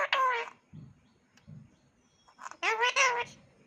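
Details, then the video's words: Talking pet parrot in India saying "mummy": two short nasal voice-like phrases with wavering tone, separated by low thumps and a quiet pause. "Talking Parrot Love U Mummy Bolne Vala"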